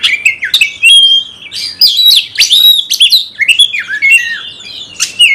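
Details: Caged Oriental magpie-robin in full song to provoke a fighting response; clear whistles sliding up and down interwoven with clicks and brief buzzes, loud and rapid throughout.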